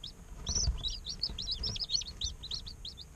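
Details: Day-old domestic chicks peeping constantly. The high, arched cheeps come several per second in an overlapping stream, with faint soft bumps underneath.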